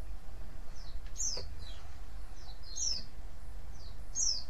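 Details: White-eye calls meant to draw other white-eyes into answering: high, thin chirps that slide quickly downward, given in small clusters about every one and a half seconds over a steady low rumble.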